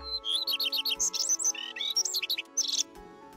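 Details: A male Common Redstart sings to lure a female to a nest box in spring: two quick, bright phrases of high, varied twittering notes, each over in about a second. Soft instrumental music plays underneath.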